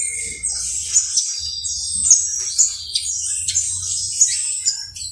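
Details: Saffron finch, the canario basto criollo, in extended song: dense high trills and buzzes punctuated by sharp clicks roughly every second, with an occasional lower whistle and constant faint hum in the background.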